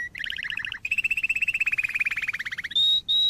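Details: Canary song used for training young canaries: fast rhythmic trills of repeated bright notes, roughly ten per second, first a stuttering two-pitched run and then a long even roll, ending in high steady held tones.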